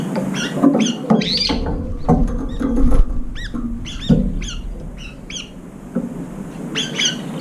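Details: Brown-eared bulbuls competing for the last food in a feeder bowl, pecking and driving off rivals: strident curved squeals in uneven series amid clattering thumps.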